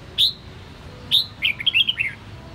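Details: Red-whiskered bulbul, a captive Sông Kon bird in voice training, gives two sharp rising whistles about a second apart, then a bubbling phrase of five or six quick, slurred descending notes, over a low background hum.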